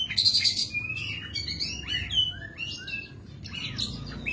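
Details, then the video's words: Oriental magpie-robin singing while fanning its tail: rapid, varied high chirps and short whistled slurs, some rising and falling, delivered in quick succession over a low background rumble. "kacer gacor gayanya manteb banget buka ekor"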